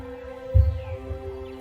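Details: Male Kori bustard on the African savanna in breeding season, throat patch inflated in display, gives a deep, resonant boom to signal his presence and attract a female: one strong low thud and a softer echo, over a steady hum.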